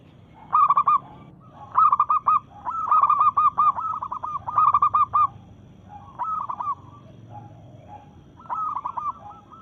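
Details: Local zebra dove in breeding mood singing to challenge rivals: bursts of rapid, staccato cooing notes in short trilled phrases, repeated in groups of several with brief pauses between, over a faint low background rumble.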